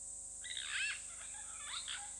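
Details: Pair of Purple Rollers at Hyena Pan, Khwai Private Reserve, Okavango Delta, Botswana, captured by a live camera: harsh, raspy rasping calls rising and falling over about a second, then a second shorter rasp, over a steady high hiss.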